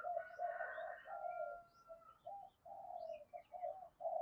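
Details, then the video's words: Morning cooing of a spotted dove acting as a lure to call in wild doves: soft repeated coos against steady hiss, with faint high chirps from other birds. "tiếng cu gáy mồi gáy gọi bổi buổi sáng giọng to rõ, ít tạp âm"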